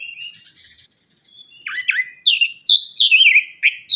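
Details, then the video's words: Lure song of an orange-headed thrush meant to prompt silent birds to sing: soft, buzzy warbling gives way to sharp, rising-then-falling whistled phrases repeated rapidly and loudly. "ANIS KEMBANG - PUNGLOR KEMBANG - KICAUAN ANIS KEMBANG GACOR"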